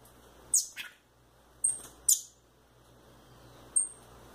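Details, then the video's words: Two hand-kept rufous-bellied thrush chicks, male and female, give four high notes: three shrill, falling squeaks and a thin, level whistle near the end. The room is otherwise quiet. "Meus filhote de sabiá"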